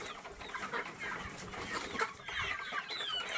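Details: Enkoko enganda, local free-range chickens, many birds overlapping in quick squeaky chirps and soft clucks with steady background noise.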